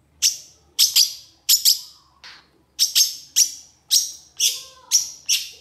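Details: Sharp, high, piercing notes from a long-tailed shrike, given singly or in close pairs roughly every half second, each a bright downward-falling chip.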